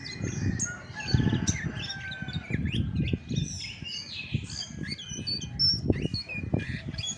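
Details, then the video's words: Chestnut-backed thrush in its natural song with no tutor recording mixed in: quick high whistled phrases and chirps with sharp upward sweeps, over repeated low thumping and rumbling noise. "SUARA ASLI ANIS MACAN TAPA MASTERAN"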